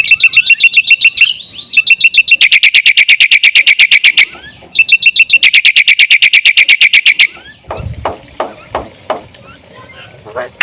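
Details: Black-winged myna used as a lure, pouring out a loud song. Long runs of harsh, buzzy, rapidly pulsed notes split by short silences, ending in a few scattered quieter calls.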